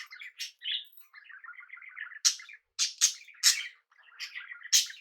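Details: Budgerigars sharing a home with cockatiels give a rapid rattling run of soft chattering notes, then a string of loud grating squawks in quick succession.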